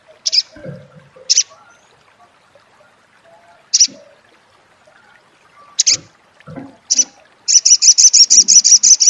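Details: Sunbird called sogon or sogok ontong, in crecet style: scattered single high, sharp chips a second or more apart, then a fast, even run of a dozen ringing notes at the close.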